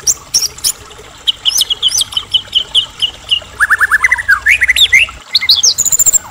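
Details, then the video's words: White-rumped shama from Medan in full song meant to provoke rival shamas: sharp high chips, a run of repeated short whistled notes, then rapid descending slurred phrases and a closing high trill. "murai batu gacor AMPUH buat PANCINGAN murai agar cepat bunyi JADIKAN murai batu gacor EMOSI NYAUT"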